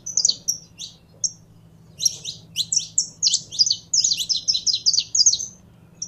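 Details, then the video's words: Caged saffron finch conditioned to sing, giving a few isolated high chirps, then a rapid run of crisp, clipped notes packed into a busy phrase over a quiet low hum. "Canário da Terra Esquentando em 3 2 1!!!"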